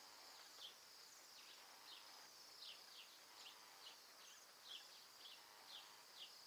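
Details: About a hundred Bohemian Waxwings feeding on mountain ash berries in Alberta in winter, on migration from the Arctic: a dense, ringing high trill chorus with many quick falling notes, several per second, from the flock.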